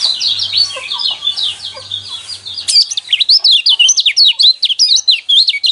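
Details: Pleci kecial kuning, the yellow white-eye, singing to provoke caged birds: warbling high twitters, then a louder rapid run of zigzag notes, over a faint low hum at first.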